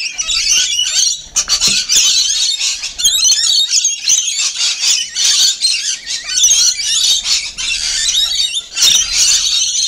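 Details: Feeding rainbow lorikeets fill the air with overlapping piercing screeches and rapid chatter, a steady high flock din broken by a few short pauses.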